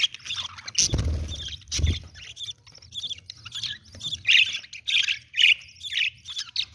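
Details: A budgerigar feeding a chick gives scratchy, high chirps and squawks in quick, uneven bursts, with two dull knocks early on.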